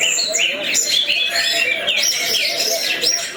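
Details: Orange-headed thrush singing in the prized continuous, intense 'gacor teler' champion style: a dense run of varied whistled and warbled phrases, quick rising and falling notes overlapping almost without pause.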